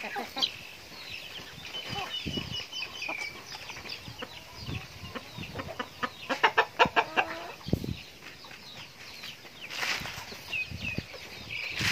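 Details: Chickens busy eating feed: a flock clucking in irregular clusters, with short harmonic squawks and a run of rapid sharp clucks midway, plus scuffling and pecking noises throughout.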